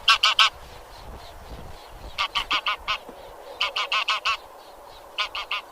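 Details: Anser geese honking in tight clusters of three to five strident, nasal notes, with brief quiet gaps between the clusters over steady low noise.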